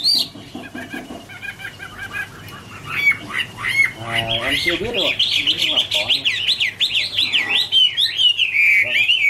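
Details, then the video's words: Chinese hwamei in autumn, 2017, singing a long varied song. Soft stuttering notes and a brief harsh, lower passage lead into a loud stream of looping, repeated whistles over a low hum. "" Autumn Love Song " Bird Garrulax canorus Singing- Birdsong"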